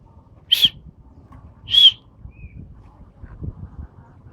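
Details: Asian pied starling, a champion bird in a song competition, gives two short separate notes, each a burst with a brief whistle, about a second apart over a low background murmur.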